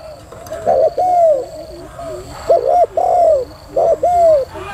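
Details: Female spotted dove in 'thúc gù' prompting style: two groups of low, hollow, arching coos, each a quick double note followed by a longer falling one, with a faint constant high-pitched hum behind.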